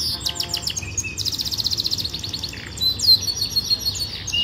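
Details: Yorkshire canary singing a training song: quick high chirps give way to a rapid, even rattling trill, then varied sweeping whistles and scattered twittering notes.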